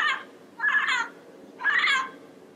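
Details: A yellow-headed parrot in the wild gives three harsh, nasal squawks, each about half a second long and roughly one second apart, over a low, steady background hiss.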